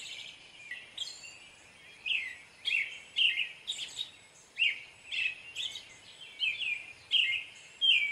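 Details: Caroling American robin: a string of clear, warbling whistled phrases, many sliding downward, some with a sharp high squeaky note added, repeated roughly every half second after a quiet opening second, with faint steady hiss.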